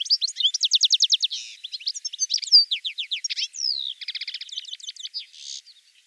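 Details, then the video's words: European goldfinch delivering a varied, rapid song: rattling trills, sliding whistled notes, buzzy wheezes and tinkling twitters in quick succession. "Пение щегла"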